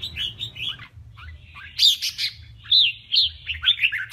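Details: Red-whiskered bulbul, a male singing in a contest, gives quick warbling phrases, a short pause, then loud bright whistled notes in uneven bursts; a low steady hum runs underneath.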